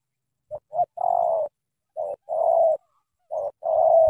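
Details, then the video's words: Thổ tơ style cooing of a spotted dove from Cà Mau, Vietnam. Two brief notes, then a long deep coo, followed by two more short-then-long pairs at roughly one-second gaps. The background is quiet. "Thổ tơ âm khủng chim đủ bài bản"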